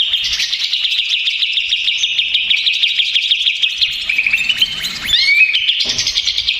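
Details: Agitated, stressed greater green leafbird singing as a lure to provoke other leafbirds. A continuous rapid stream of high, chattering, trilled notes with quick slurred whistles, busy throughout with no pauses.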